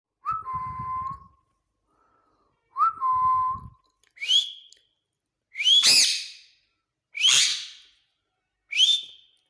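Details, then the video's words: Male green ringneck parakeet, said to talk and say words like mithu; steady lower whistled notes near the start, then rising high whistles joined to harsh broad screeches, six bursts spaced over about ten seconds. "green ringneck Talking male"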